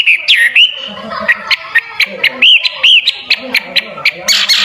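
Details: Hwamei, known locally as wambi, singing loudly as a tutor song for training champion songbirds: short arched whistles and rising slurs around the middle pitch, broken by harsh, gargling chatter and brief pauses.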